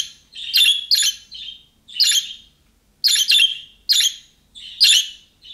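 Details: Budgerigar with the calling-style chirps of young birds, meant to make other budgerigars respond; roughly nine rasping chirps, often in close doubles, separated by short pauses.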